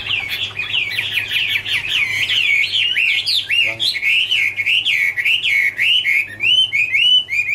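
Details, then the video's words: A Chinese hwamei pours out a continuous rolling warble, 2017 recording: bubbly, looping whistled notes strung tightly together, broken once near the middle by a short harsh note. "" Autumn Love Song " Bird Garrulax canorus Singing- Birdsong"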